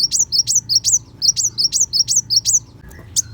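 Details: Kolibri wulung sunbird 'tembakan besetan' phrase for white-rumped shama masters: a brisk row of thin, high upslurred notes, about six per second, ending in a brief lull and one last chirp.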